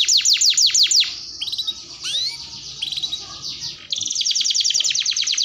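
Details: Canary lure song: a handful of spaced swooping high notes, then softer chirps and a rising whistle over low background hum, before a bright rapid rolling trill takes over.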